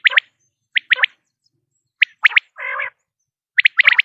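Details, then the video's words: Common quail calling in quick clipped whistles, singly or in pairs and triplets, with one low nasal buzzy burst midway; long silent gaps between phrases. "quail sound effect.batair ki Awaz.common quail sound.صدای بلدرچین.صوت السمان ۔quail"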